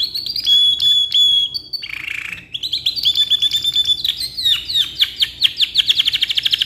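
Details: Canary, ngeroll black-red type, kept caged, delivering a long song used as a tutor model: level whistled notes, a short buzzy roll, then rapid repeated chips speeding into a dense rolling trill.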